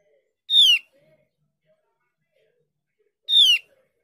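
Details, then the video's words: Javan grey-throated white-eye, played as a lure to make raw or silent birds of its kind respond; a pair of brief, buzzy, downslurred notes roughly three seconds apart, nothing else audible. "Dengan pancingan opior jawa ini opior jawa bahan atau opior jawa macet pasti nyaut"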